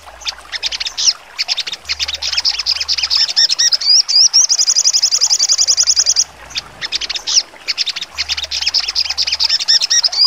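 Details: Sogon songbird in full trotol style with sharp 'nembak' bursts, a birdsong training recording: high chattering notes, then a long fast even trill of sharp repeated notes, then more chattering phrases.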